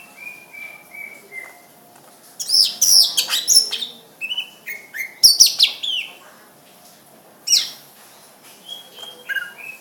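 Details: Greater green leafbird singing: descending whistles at first, then loud, rapid high sweeps and chattering bursts, a pause, and more sweeps mixed with short whistles.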